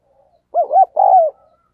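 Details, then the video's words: Spotted dove used as a decoy, cooing hard to stir up wild doves: one clean, loud phrase of two quick wavering notes followed by a longer sustained coo that slides gently downward. "Chim Cu Mồi Gù Thúc Bổi Nghe Hăng Nên Và Rất Siêng Gáy"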